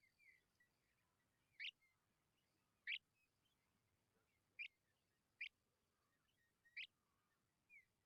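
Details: Tawny pipit babies, described as very hungry, give sharp, high, clipped notes spaced roughly one to one and a half seconds apart, six in all, over a quiet background with faint chirps between.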